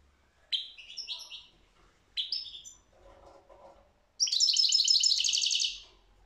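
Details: European goldfinch singing in short bursts: two brief twittering phrases, then a long, fast, bright buzzy trill of tinkling notes lasting over a second; quiet background with a faint lower chatter between phrases.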